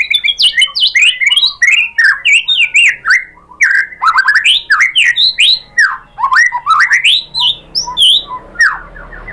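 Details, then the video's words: White-rumped shama lure song played to make other shamas sing and display their fill material. A continuous rich medley of varied slurred whistles, sharp ticks and rising and falling notes runs without a break. "memancing EMOSI MURAI BATU biar ikut GACOR BONGKAR MATERI ISIAN ¦ PANCINGAN MURAI ¦ SHAMA BIRD"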